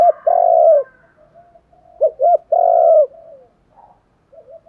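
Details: Spotted dove luring coo: a long steady note, soft murmurs, then two quick rising hoots and another sustained coo, fading into quiet low sounds.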